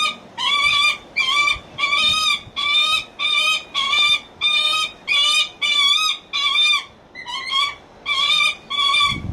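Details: A Lanner falcon at Kakegawa Kachoen bird park gives sweet, begging-sounding harsh, nasal, whining notes in a steady series, about one every two-thirds of a second, over faint background noise.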